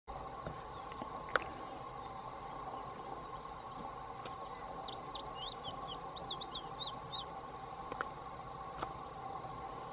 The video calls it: INDIGO BUNTING SINGING